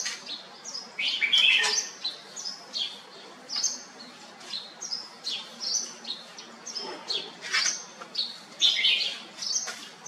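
Bright, chirpy bulbul phrases of short whistled notes repeat in quick bursts every second or so, with other small birds twittering close by.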